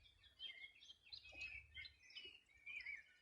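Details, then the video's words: On a 2020 summer morning at the edge of the Río Bueno, Los Ríos Region, Chile, a dense chorus of high twittering and chirping birds continues without pause above soft low rumble. "Sonido de las aves a orilla del Rio Bueno"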